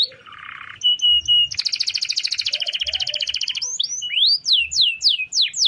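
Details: Canary in full song with a long roll, used for training other birds: short flat whistles, then a long, fast, buzzy rattling roll lasting about two seconds, ending in loud downward-sweeping whistles.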